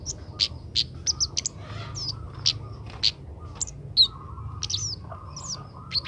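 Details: Juvenile Oriental magpie-robin practising song as part of training: frequent bright, high chirps and quick whistled slurs, some rising and some falling, in an uneven run over low background hum.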